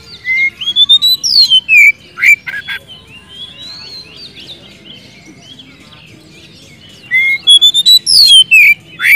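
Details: White-rumped shama in full, lively song, used to call a rival and rouse a silent bird into singing: loud clear whistled phrases with rising and falling slurs and sharp accents, bursts at the start and end, quieter twittering between.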